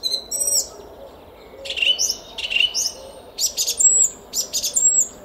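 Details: Morning song thrush, Szalkszentmárton garden, Hungary, 10 April 2021 at 06:15: a thin whistle, then slurred descending notes and quick repeated high chips grouped into short phrases about a second apart.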